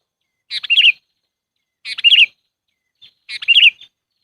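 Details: Sooty-headed bulbul calling as a trapping lure. Three short bubbly phrases, each a rapid stutter ending in a bright wavering note, repeat roughly every 1.4 seconds against silence.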